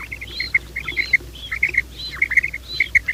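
A quail repeats a quick, sharp three-note call, each phrase opening with a higher whistled note, about every half second, over faint low background noise.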